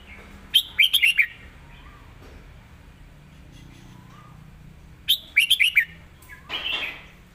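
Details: Caged red-whiskered bulbul singing a clear master-song style, with strongly stressed phrasing: two bursts of quick, bright whistled notes, each about half a second long and roughly five seconds apart, over a quiet background with a few soft low notes.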